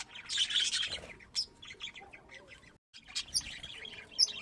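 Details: Pet budgerigars at home: a fast trilling burst of chirps, then quieter scattered squeaks, a short silence, and renewed bright chattering with a sharp high squeak at the end.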